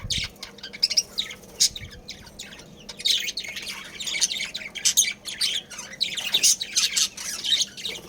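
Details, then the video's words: Colony of budgerigars, breeding pair and family, keeping up a busy stream of thin, scratchy chirps and warbling chatter, growing denser after the first few seconds. "Budgies Breeding Pair | Budgies Family"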